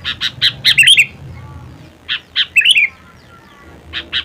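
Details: Sooty-headed bulbul in its natural voice: a run of quick, slightly harsh chirps and a tumbling warbled flourish, then scattered single chirps and a short fluty phrase, with pauses between.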